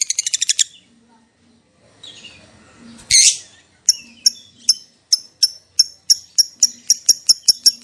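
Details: Lovebird lure recording: a short rapid rattle, a pause, one loud harsh burst, then a string of sharp high chirps repeated about three times a second, speeding up slightly.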